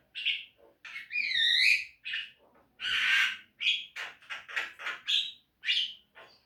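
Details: Javan myna song from a training recording made to encourage caged birds to sing. Harsh rasping bursts alternate with buzzy whistled slides and chattering notes, delivered in an uneven run of about a dozen phrases.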